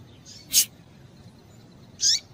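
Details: Female rusty-collared seedeater calling to excite males: two brief high notes about one and a half seconds apart, the first a sharp broadband click-like chip, the second a downward-sweeping chirp, over a quiet background.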